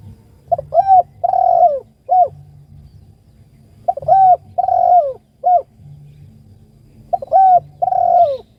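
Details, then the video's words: Spotted dove calling its companion: three repeated low cooing phrases, each a short hoot, a longer drawn-out coo dropping at the end and a clipped final note, spaced about three seconds apart over steady low background hum. "PANGGILAN SUARA BURUNG || TEKUKUR ||DERKUKU MEMANGGIL TEMAN"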